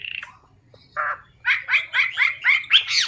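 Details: Hwamei singing with a full filler repertoire in a loud, clear voice: a rough squawk and a short burst open, then six strong, clear phrases, each a rising-and-falling whistled sweep, repeated about twice a second.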